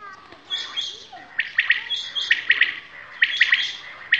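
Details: Common quail (Coturnix coturnix) calling in a village area where quail are hunted and netted: sharp, clipped notes in quick groups of three, about once a second, mixed with scratchier chirping.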